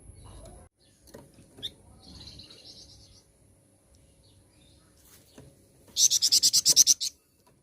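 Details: Flamboyan flowerpecker singing as a lure to provoke other birds: a soft, buzzy high trill, then a loud run of about eleven quick, piercing notes near the end.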